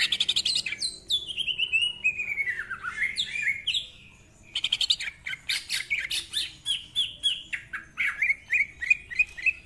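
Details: Rough-voiced greater green leafbird song in the 'ngentrok' style meant for training other birds: a long descending series of whistled slurs, a brief silence, then harsh rasping bursts ending in evenly repeated sharp chirps.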